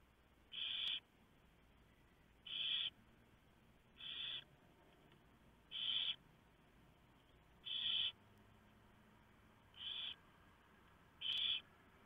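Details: Barn owl nest at night in November while owlets are fed a mouse brought by the male: seven short rasping hisses spaced about every one and a half to two seconds, over faint background noise.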